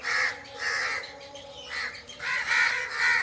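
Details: Forest birds giving loud, hoarse calls, two near the start and three more after a short pause, each rough and drawn out, over a low background hum.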